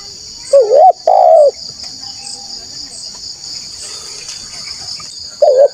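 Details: Spotted dove cooing used to lure rival wild doves: a short hooked coo followed by a longer falling one, then a long gap of insect hum and faint rustle before another rising coo begins.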